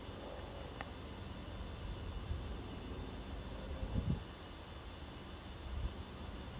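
Outdoors, only a low steady rumble and hiss of background noise with a faint click and brief soft rustles, no animal calls.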